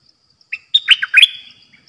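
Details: Red-whiskered bulbul kept in a cage as a trapping decoy, dok taeng style song: one brief phrase of four or five rich, liquid whistled notes, sliding up and down, following a single short opening note.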